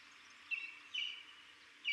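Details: Buff-crested bustard (Lophotis gindiana) in Buffalo Springs National Reserve, Samburu, Kenya, giving three short, high, slightly buzzy notes at uneven intervals over two seconds, with a steady background hiss.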